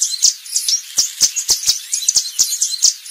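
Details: Yellow warbler (Setophaga petechia) song: quick, high, sweet chirping notes tumbling along at a fast, uneven pace, with sharp ticking clicks mixed through.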